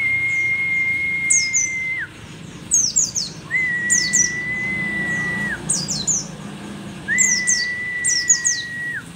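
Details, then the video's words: Mountain white-eye, pleci dakun from Merapi, old yet singing eagerly: repeated clusters of shrill, falling chirps alternate with three long flat whistled tones, each held about two seconds before dropping away. "pleci merapi tak kan pernah ingkar janji, tua tua gacor"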